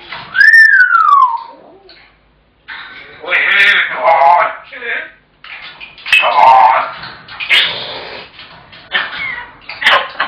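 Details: Pet African grey parrot indoors, shouting when its owner comes home from work until fed, and again whenever left alone. A loud falling whistle opens, then harsh, raspy, speech-like squawks in repeated bursts with brief quiet gaps.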